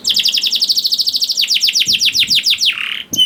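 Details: Rapid trilled phrase from a young canary for prompting reluctant canaries: a fast run of falling whistles that slows into spaced down-slurs and ends on a low, drawn-out buzzy note.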